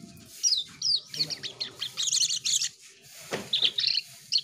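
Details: Asian pied starling giving a busy song of bright, high chirps and squeaky whistled notes in quick bursts, broken by short gaps, over a faint low background hum.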